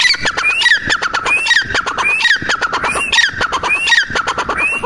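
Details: Female grey francolin, locally called teetar, giving a continuous run of sharp upslurred whistles mixed with rasping, clattering notes, repeated in quick succession with no pause.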